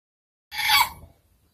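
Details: A batik chicken rooster gives one brief, hoarse crow of about half a second, strained and harmonic, fading quickly into quiet.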